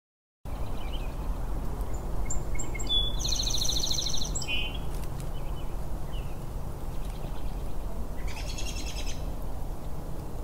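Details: A sparrow's song, a mixture of trills and whistles at various pitches smooshed together and repeated after a gap, then a shorter buzzy phrase, over a steady low rumble.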